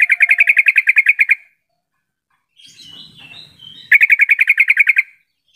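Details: Sooty-headed bulbul call played as a lure to get other bulbuls calling back and forth. Rapid dry chattering runs of about a dozen clipped notes open and close, separated by a quieter wavering warble with faint low noise.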